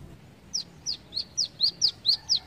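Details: Brown-throated sunbird giving eight sharp, high, downslurred chips at steady intervals of about a quarter second, clean and uniform, against a quiet background.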